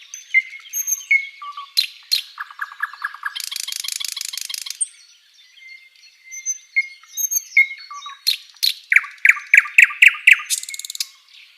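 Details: A flycatcher's song on a songbird tutor recording: whistled and chirped phrases, a low rapid rattle, a long buzzy trill, soft clear whistles, then a fast series of loud sharp chirps and another buzzy burst.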